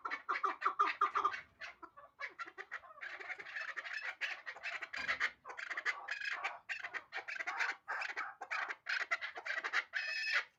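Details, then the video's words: Hybrid chukar partridge calling in a long run of harsh, clucking notes, bursts pitched low then climbing to brighter, faster chuck notes, steady through about ten seconds with brief pauses. "Кабки Гибрид"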